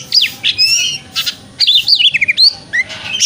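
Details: White-rumped shama singing in the ngeplong style, played in the morning to push a shama to open its tail; whistled notes sweep up and down between rasping bursts, with a quick run of descending notes.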